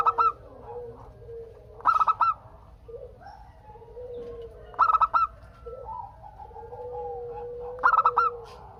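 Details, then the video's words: A local zebra dove sings to draw answers from other doves: four short, stuttering bursts of bright coos spaced about three seconds apart, with quieter, drawn-out cooing from other birds in the background. "Perkutut Lokal Gacor Untuk pancingan kutut perkutut agar saling bunyi BERSAUTAN"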